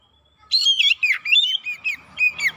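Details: Oriental magpie-robin lure song for provoking birds: one short, dense phrase of sliding whistles and warbled notes, fading into a few separate chirps.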